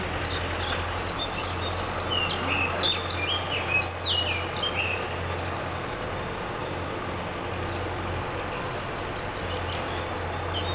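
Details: Varied whistled thrush phrases come in scattered bursts, some sliding down in pitch, set against a constant low engine-like hum and background noise.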